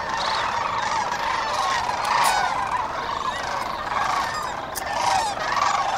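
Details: Sandhill cranes at dawn along the Cosumnes River: a dense, continuous chorus of many birds giving overlapping rolling, trumpeting calls, with some higher bugled notes rising above the steady crowd noise.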